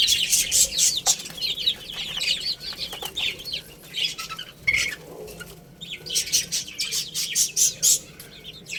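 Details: Chicks playing and eating, thin high peeps in bursts among loud scratchy clicks and brief fluttering, the chirping thinning out midway before resuming.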